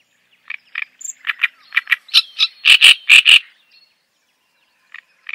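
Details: Java sparrow chattering song: soft, spaced chip notes speed up into a run of loud, ringing, bell-like clucks, then fade to a pause before quiet chips resume.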